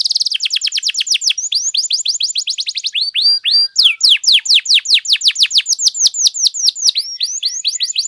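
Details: Continuous canary song meant to stir up other canaries into singing: an unbroken stream of fast downslurred whistled notes, several per second, shifting pitch between phrases.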